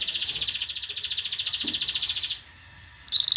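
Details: Canary song meant to train young birds and excite females to mate: a rapid, pulsing, buzzy roll at a steady high pitch for over two seconds, a brief pause, then a sharp bright note.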